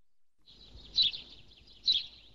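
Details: Two sharp House sparrow chirps close to a second apart, high and squeaky, over a low murmur of background noise.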